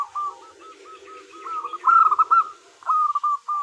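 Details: Female zebra dove of local type calling to the male. Soft, evenly spaced coos build into a loud bubbling trill, followed by another short run of quick notes.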